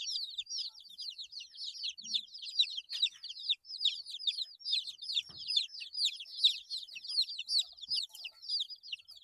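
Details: Numerous 8-day-old baby chicks peep steadily, sharp descending cheeps overlapping in a rapid, even chatter with an occasional faint thump.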